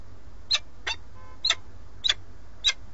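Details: Male peregrine falcon at a nest in Alcalá de Henares, Madrid, Spain, arriving with a starling and calling the female, recorded by a live webcam; sharp, clipped chip notes repeated about every half second over steady background hum.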